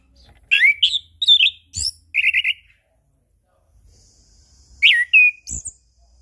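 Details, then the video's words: Song of a chestnut-capped thrush intended to coax silent birds to sing morning, noon and evening: quick jumbled whistles and trilled notes, a silent stretch, then a final pair of sliding whistles. "Anis Kembang Ngeplong Pagi Siang Sore - PAncingan Burung Anis Kembang Macet Bunyi"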